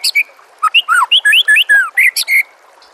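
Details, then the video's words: A white-rumped shama gives masteran song for training other birds, heard against nature sounds and gurgling water: about a dozen crisp, clear whistled notes in a rapid varied phrase, some rising and some falling, then a short pause. "bila murai batu anda dengar suara MASTERAN burung seperti ini"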